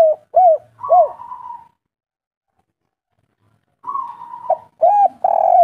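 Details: Spotted dove, local kuk 3 type: two short rounded coos and a hoarse drawn note, then about two seconds of silence before another drawn note and further coos.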